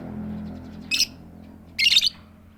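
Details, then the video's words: Two short, harsh, grating squawks from a female lovebird calling to a male, set against a steady low hum. "suara tik tik keyok Lovebird betina memanggil jantan tanpa ngekek"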